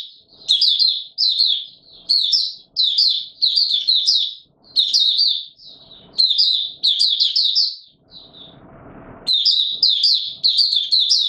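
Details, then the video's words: Warm, humid day, 20 March 2022: a white-eye repeats about a dozen short, bright twittering phrases, each under a second, at steady intervals, interrupted once near the end by a brief burst of broad rustling noise. "Mata Puteh Raja Video 1 buka sing"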